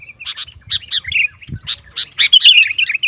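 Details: Sooty-headed bulbul singing actively, a recording meant to provoke rival bulbuls into singing; bright chirped notes in short bursts around the upper-middle range, separated by brief gaps, with one low thump midway.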